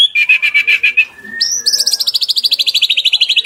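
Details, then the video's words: White-rumped shama song used to train captive birds: a steady pulsed trill, a brief thin whistle, then a sharp jump into a higher, fast chattering trill that slowly drifts down. "MASTERAN MURAY BATU 2024"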